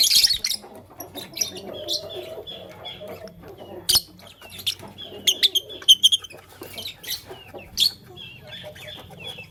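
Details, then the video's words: Chirping of Fischer's and masked lovebirds in the morning: scattered shrill chirps and clicks, irregular, with soft twittering and faint low hum throughout. "LoveBird Chirping Sound - Lovebirds Fischer & Lovebirds Personata"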